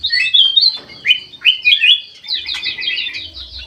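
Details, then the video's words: Aviary-kept white-eyed golden bulbul singing energetically. Several loud upward-sweeping whistled notes come in quick succession, then a rapid rattling series of short notes. "KUTILANG EMAS MATA PUTIH SUPER GACOR"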